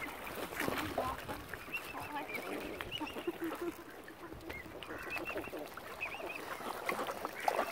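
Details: Angry, hungry mother swan on Lough Neagh, Ireland, where algae has killed normal food supplies; nasal honking notes repeat irregularly over lapping water, with thin whistled calls of other birds above and a busy waterside background.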